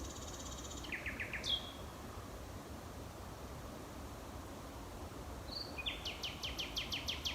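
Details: A male common nightingale sings at about 11 pm in May 2018 from dense thickets and hedgerows at the Knepp rewilding project in West Sussex, proclaiming his territory: a high whistle, rapid repeated chirps, a sharp upslurred whistle and a fast pulsing trill, over a low rumble.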